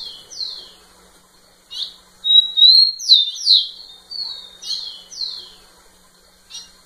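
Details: Rufous-collared sparrow singing at the female: two falling notes ending one song, then a new song opening with a clear level whistle and continuing with about six downslurred whistles, a brief chip at the end.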